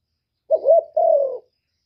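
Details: A single spotted dove coo in the 'một hậu ròng' calling style: a soft wavering opening note flowing into a longer, smooth, slightly falling low coo, then silence.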